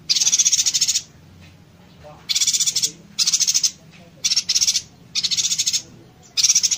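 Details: Yuhina in 'konslet tembakan rapat' style, used as training song for magpie robins and green leafbirds: shrill pulsed trills, each a rapid string of clicks, come in bursts after a pause of about a second.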